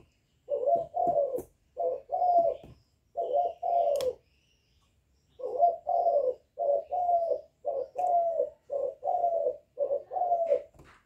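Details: Steady hollow coos from a young spotted dove, calling coos plus bowing coos used to excite wild doves, in two clustered series split by a brief silence, with a few sharp clicks.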